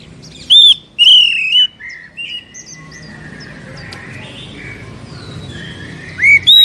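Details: Caged Oriental magpie-robin, sung as a lure for a captive bird: a few loud swooping whistles at the start, then soft twittering and background hiss, one last sweeping whistle at the end.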